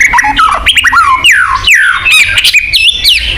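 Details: White-rumped shama song as a singing lure for captive birds: loud varied whistles with steep falling slurs, rapid chatter and buzzy accents, nearly nonstop.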